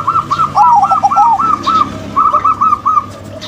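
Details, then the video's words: Cooing from a local female and a crossbred male zebra dove: quick strings of rounded, looping notes, with two voices overlapping early on. A short gap follows, then a renewed even series, and a faint constant hum runs underneath. "PERKUTUT LOKAL BETINA & PERKUTUT KROSING JANTAN"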